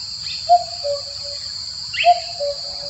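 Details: Excited male common cuckoo eager to mate with a female gives two low, hollow cu-coo phrases, the second note dropping slightly, about a second and a half apart, over a steady high insect trill.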